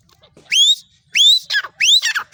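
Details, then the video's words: Female black francolin calling: three loud, clear whistled notes that sweep sharply upward, with softer downslurred notes between the last ones. The background is quiet. "female teetar ki awaz"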